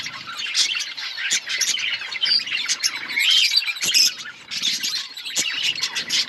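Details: Budgerigar flock chirping in an outdoor colony, a busy mix of warbles, squeaks and harsh squawks, with a few sharp clicks standing out from the steady chatter.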